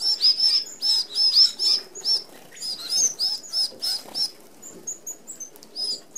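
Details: Red-browed finches, Australian natives, feeding together at an open aviary feeder: rapid high squeaky chirps in quick clusters, then quieter thin, high whistled notes spaced out near the end.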